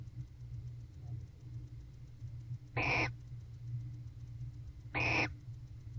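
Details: Barn owl couple in an owl box at 8:25 pm on 21 October 2023, mating during their courtship season. Two rasping, noisy screeches about two seconds apart break a quiet background with a constant low drone.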